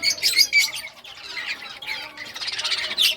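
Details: Budgies in rare colours playing with their toys on June 18, 2023; bursts of bright, squeaky chirps and warbles, with a quieter pause before the chatter builds again.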